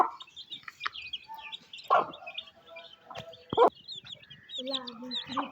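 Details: Mother hen feeding her chicks in rainy weather, village Pakistan; irregular loud clucks, some short low grunting notes, and a constant chorus of high chick cheeps throughout.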